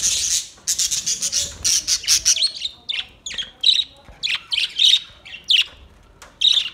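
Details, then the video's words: Budgerigars in relaxing song, August 4, 2023: a continuous bright warble of shrill buzzy notes and squeaky chirps, delivered in quick bursts about twice a second with barely any gaps. "Beautiful budgies relaxing song beautiful sinning and sound"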